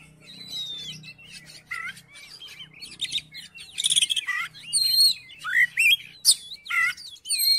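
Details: Oriental magpie-robin song intended to draw another magpie-robin into singing: dense medley of whistles, buzzes and chirps growing louder, with sharp rising slurs, over a low rumbling hum.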